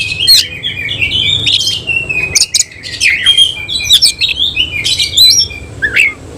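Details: Singing oriental magpie-robin with tail spread, a semi-Cililin bird, delivering a continuous varied phrase of warbled whistles and scratchy notes broken by loud clicking chips, closing on a short rising squeak.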